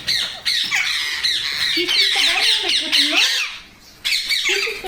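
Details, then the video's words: Parrot calls, possibly a baby parrot, in India: harsh, buzzy squawks packed in the upper register, repeated in rough bursts with a brief pause before the final burst. "Parrot Natural Sounds Compilation | Parrot Sounds |Baby Parrot Sound"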